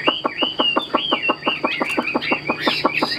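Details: Caged Chinese hwamei giving a rapid, rhythmic series of harsh, stroked notes, about five a second, each capped by a short arched whistle.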